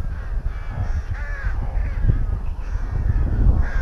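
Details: At a colony nest near Tyrnovo, rooks utter a few hoarse caws, one clear near the middle and another at the end, over a constant deep rumbling background.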